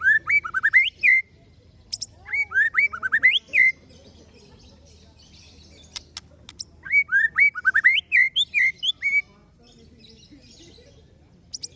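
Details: White-rumped shama delivering its ciung wanara song: bursts of rich, rising and falling whistled phrases, each about a second long, separated by pauses, over faint background hum.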